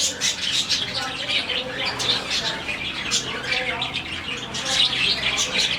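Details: Around 40 budgies in a colony chirp contentedly in the morning. Constant busy twittering and scratchy squawks overlap without pause, denser toward the end, with a low background hum.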